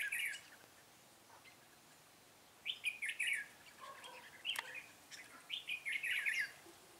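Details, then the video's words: Red-whiskered bulbul singing outdoors at a trapping session on 13 March 2017 with a decoy bird, giving brief chirpy whistled phrases after a quiet gap, with a faint click and soft background hiss. "Bẫy chào mào Cánh bướm đẹp ngày 13/3/2017 phần 2"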